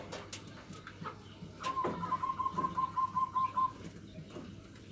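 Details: Local zebra dove giving its 'nutut' style song, a lure meant to provoke rival birds. A quick run of about ten pulsed, level cooing notes lasting two seconds, with scattered clicks and knocks before it.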